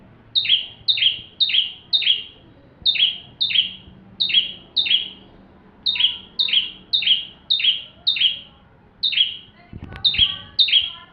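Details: Bar-winged prinia full song for training magpie-robins: rapid series of sharp high chirps, each a bright note dropping into a buzzy downslur, repeated about twice a second in short bursts with brief pauses.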